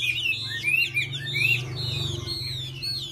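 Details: Whistled, sweeping song notes of a Chinese hwamei heard over a strong steady low hum, with phrases rising and falling in quick succession.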